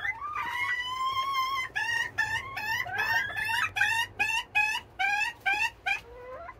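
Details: Morning calling from Serama bantam hens eager to leave their house; a long nasal note, then a regular series of sharp, buzzy squawks about two per second, ending on a lower rising note.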